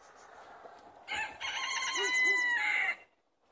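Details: Chickens released for the day, 70 birds in Longford, Ireland, Thursday 25 February 2016: faint background murmur, then a bright two-second crow in stepped, harmonic phrases, with soft low clucks beneath, ending abruptly.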